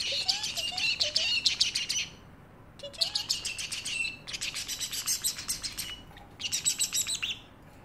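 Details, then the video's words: Indoor parrotlet chattering in its cage: bursts of fast, high-pitched scratchy chirps, each a second or two long and split by short pauses, with small low whistles at the start of some bursts. "parrotlet making funny sounds and meowing like a cat"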